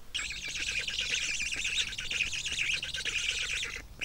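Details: Black stork chicks begging while being fed at the nest, Kamenice, 2021; a continuous, harsh, wavering chorus of high nasal calls that rise and fall rapidly for nearly four seconds, then a brief pause and a restart.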